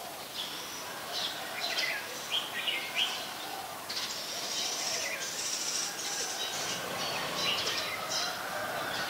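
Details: An adult Red-whiskered Bulbul in Ubon Ratchathani, Thailand, recorded on 3 January 2021, sings short, bright chirping phrases in scattered bursts over a steady outdoor hiss, with other faint bird notes.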